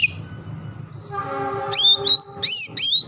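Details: Oriental magpie-robin singing vigorously in the isian gereja style, a song filled with sparrow phrases. Loud whistled notes that slide up and down start midway, after a low rumble with steady humming tones like a train horn.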